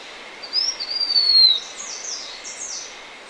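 Blue-winged minla giving a thin, high, slightly descending whistle, followed by a few short high notes, over steady background hiss.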